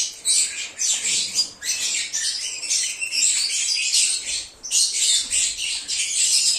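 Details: Lovebird singing and chirping, played to attract an escaped lovebird: bursts of piercing, high-pitched chattering squeaks, densely overlapping, with a brief lull around the middle.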